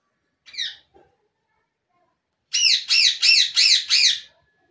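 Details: Pet Indian ringneck parakeet giving a single harsh squawk, then after a pause five loud, rapid, ringing screeches in a row, each arched and piercing, in a quiet room.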